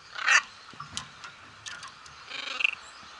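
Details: Macaws at Emperor Valley Zoo, Trinidad, during a holiday visit; a harsh raspy squawk, brief clicks, then a second grating, buzzy squawk near the end.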